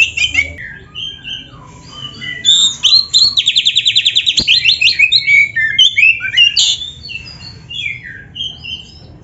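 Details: Oriental magpie-robin (kacer) training song with luxury fill-ins: scattered whistles lead into a fast, rattling trill of evenly spaced notes. Mixed chirps and slurred whistles follow, with one sharp click midway.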